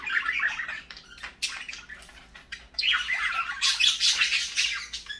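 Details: A group of parakeets in the morning, with quick chirps early on that swell into a louder, nearly continuous bout of scratchy chattering in the second half.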